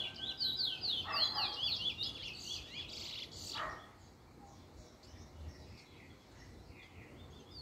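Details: First-black young male Trinidad bullfinch, or chestnut-bellied seed finch, practising its song form on 10/10/20: about two seconds of quick, looping whistled notes, then near silence with faint distant chirps and background hiss.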